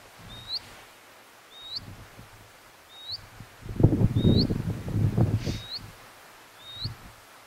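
A Scribble-tailed Canastero gives thin, high, upslurred notes, one roughly every second. Low rustling and wind noise swells loudly in the middle.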